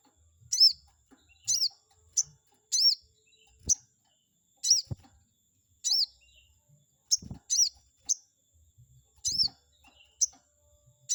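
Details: Chestnut-backed scimitar babbler singing to make a rival bird respond: sharp, high, arched chirps repeated irregularly, sometimes in close pairs, over roughly eleven seconds, with a few soft knocks underneath.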